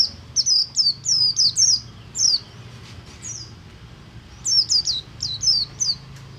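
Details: Ngalas song from a Buxtomi oriental white-eye, used to trigger singing in other white-eyes: short bursts of high, sharp, descending chirps at the start and end, with a quieter stretch of background hum between.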